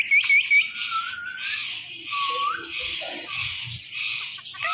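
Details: Pet Indian ringneck parakeet pair, male and female, in morning chatter: three quick high chirps, then sustained hoarse screeching with two slow whistles that dip and rise.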